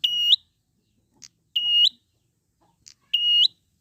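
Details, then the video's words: Wild prinia song meant to coax captive prinias into singing: three long, buzzy, harmonic-rich notes about every one and a half seconds, each lifting at the end, with single short clicks between them. "pancingan prenjak gacor alam liar"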